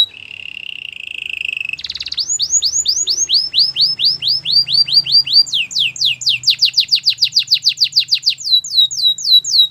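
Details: Song for training a Belgian canary: a low buzzy roll, then rhythmic downward whistles, a rapid rattling trill and a few slower falling whistles at the end.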